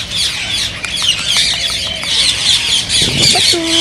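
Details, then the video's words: Green ringneck parakeets chatter shrilly and without pause in a sound intended to stimulate singing and mating, with a few clicks and a lower drawn-out call at the close. "ببغاء الدره تحفيز رهيب رهيب"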